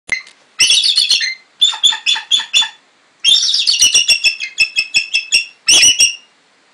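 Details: A very vocal 20-year-old female bald eagle, a rescued resident bird kept since 1995 after a wing injury near Sitka, gives high, shrill chattering calls in repeated bursts of rapid staccato notes separated by short pauses.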